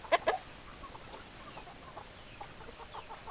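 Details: Hen chickens clucking: two loud, sharp clucks at the start, then a run of quieter, short, evenly spaced clucks and soft murmurs against faint background hiss.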